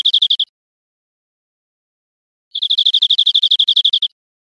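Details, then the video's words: Tutor recording of European greenfinch song for training cage birds: a short burst of rapid chirped notes, a two-second gap, then a fast, even trill of about fifteen bright notes. "NUEVO CD PARA EDUCAR VERDERONES"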